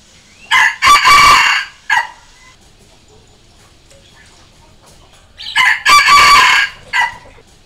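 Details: Crowing of a red junglefowl decoy cock, meant to draw and provoke wild junglefowl: two complete crows about five seconds apart, each a brief opening note, a long harsh central phrase and a short abrupt ending, with no other noise.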